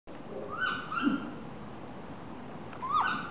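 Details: A captive great grey owl at Kobe Kachoen begs for food with thin, nasal, slightly falling whines, a pair near the start and another after a two-second pause, over a low background rumble.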